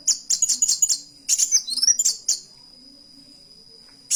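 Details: Canary-style song from a kolibri wulung: clusters of bright, sharp chirps and short rattles in two bursts, then quiet apart from a faint steady high tone.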